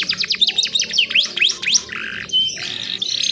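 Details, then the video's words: Female canary calling to attract males on a keepers' lure recording: quick series of downslurred and V-shaped whistled notes, then a short buzzy burst and a steady high tone near the end. "PANCINGAN KENARI BAHAN FULL ISIAN SUPER ISTIMEWA"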